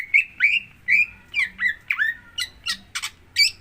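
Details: Lure song of a greater green leafbird for stimulating another bird to sing: squawky, slurred whistles mixed with harsh broadband rasps, delivered in quick uneven succession.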